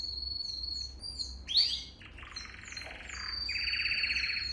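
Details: Canary song meant for training young canaries: high whistled notes, then a loud sweeping note, followed by fast rattling rolls lower in pitch. The phrases change every second or so, over a low steady hum.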